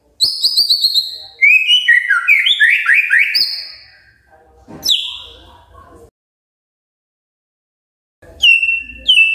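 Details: Magpie-robin morning song for prompting other magpie-robins; high clear whistles and a run of rapid upslurred notes, followed by a single downslurred call, silence, then another whistle.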